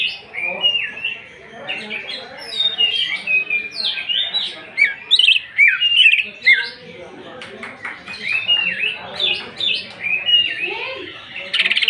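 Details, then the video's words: Greater green leafbird lure song intended to provoke singing: extended mix of sweeping whistles, harsh squawks and clicking notes in irregular bursts, with short quieter gaps between phrases. "Pancingan emosi Cucak ijo. Cucak ijo nembak bongkar isian kasaran."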